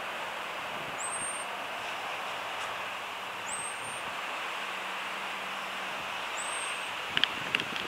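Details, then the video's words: Common blackbird warning call: three thin, very high drawn-out seee notes, roughly every two and a half seconds, over a steady traffic-like roar with a few clicks. "Blackbird warning call"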